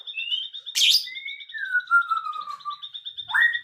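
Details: Birdsong recorded in the afternoon: clear whistled notes sliding downward, one long descending whistle near the middle and a short rising-falling note at the end, over a steady fast pulsing trill.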